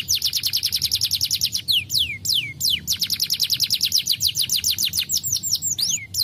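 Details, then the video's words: Lively canary song meant to stimulate idle canaries: a fast rolling trill of downslurred notes, broken briefly by a few longer sweeping whistles, then the trill resumes at high speed. "Burung kenari Starblue gacor PANCINGAN AMPUH Kenari Malas bunyi"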